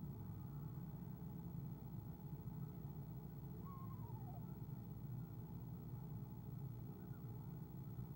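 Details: Eastern screech owl female on a nest camera giving a soft trill as her mate arrives, February; one short wavering trill, steady low rumble of background noise throughout.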